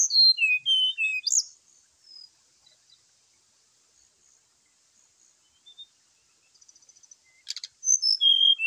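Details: Brown-chested jungle flycatcher fighting call in the morning, used to provoke rival birds: a burst of high, clear whistled notes, some falling, then near-silence with faint ticks, a short broadband rattle and another run of sharp whistles.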